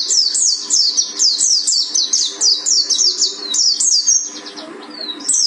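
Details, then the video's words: High, piercing 'tembakan' shooting song of a Gunung Karang mountain white-eye (pleci buxtoni), a quick run of repeated downward-sweeping chips with a brief slowing near the end, then one more burst. "Pleci Buxtoni Gunung Karang Tembakan Mantap"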